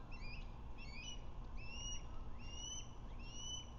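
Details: Osprey calling at a Lake Murray nest at 1:03 pm on 21 February 2024, on a nest camera, while the male delivers a fish to the female. Quick paired chirps open, then longer rising whistles repeat about every second over low rumble.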